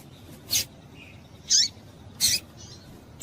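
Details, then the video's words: Female double-collared seedeater calling to stir up males: short, sharp high chips and a few brief thin notes, spaced irregularly about a second apart over faint steady background hiss. "fêmea de coleiro quente para esquentar coleiro"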